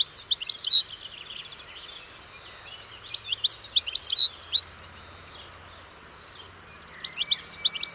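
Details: Twittering song of a European goldfinch, with three bursts of sharp, tinkling notes and rapid trills, separated by quieter gaps and thin background twitters.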